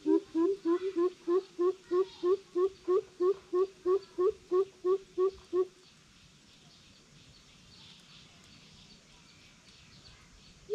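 A greater coucal gives a deep, hollow series of about fifteen even 'boop' notes, roughly three per second, then falls silent against faint background hiss.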